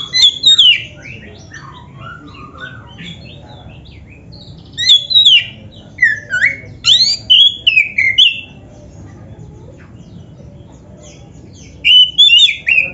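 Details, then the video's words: Oriental magpie-robin, kacer dada hitam, song to make caged birds sing: short bursts of sharp whistled and slurred notes separated by pauses of several seconds, faint low background hum. "STEL SUARA INI‼️BIAR KACERMU MAKIN GACOR | Sekali Dengar Langsung GOCOR❗- Masteran Kacer"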